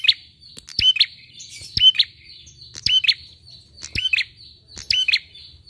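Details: Bar-winged prinia song used to prompt other birds to sing: sharp, high, buzzy chirps in bursts about once a second, backed by a thin steady high whine and clicks.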